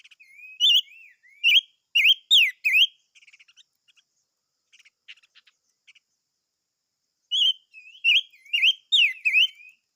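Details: Silver-eared mesia in two bursts of loud, rapid swooping whistles separated by several seconds of faint ticking clicks; the whistled phrases are bright, slurred and repeated about every half second.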